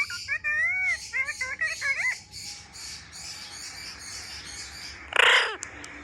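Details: Pet parrot talking while playing with a mobile phone: wavering tonal speech-like phrases in the first two seconds, then a steady hiss and a short harsh burst near the end.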